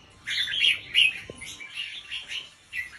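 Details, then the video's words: Red-whiskered bulbul teacher bird singing slow, spaced phrases to teach young birds: softer warbled notes under background noise, with a faint knock partway through. "สุดยอดนกครูเบิ้ลเพลง 3 อาชีพ เบิ้ลช้าๆ เบิ้ลเว้นช่องไฟชัดเจน เปิดสอนลูกนก"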